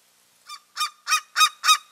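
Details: Calling from an eagle pair at the nest in March, five yelping notes that start soft and grow louder, roughly three per second.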